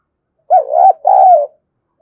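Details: Spotted dove coo meant to stir males to answer: a bumpy, wobbling opening note, a short gap, then a sustained mellow coo sliding gently downward, with nothing else audible.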